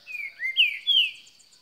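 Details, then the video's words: Green-winged saltator, described as a newcomer bird, recorded on 16 December 2018, singing a short phrase of clear whistled notes: a level whistle, a rising slur, then two loud sliding whistles, over a faint steady high hiss. "Trinca ferro cantando muito"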